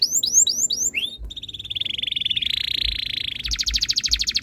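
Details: Tutor song of a canary for encouraging other canaries to sing, opening with repeated looping whistled notes, then a steady buzzy roll, and finishing with a fast high rattling trill.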